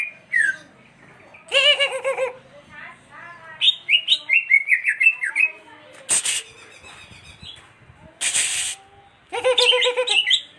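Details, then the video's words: Greater green leafbird giving a run of sharp, varied whistles and chirps in rapid succession, with human speech and a few loud noise bursts in between. "burung cucak hijau"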